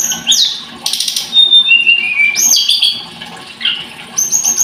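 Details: Blood-breasted flowerpecker (tledekan gunung) giving a busy high-pitched song. Sliding whistles and buzzy bursts alternate with steady thin tones and quick chirp series.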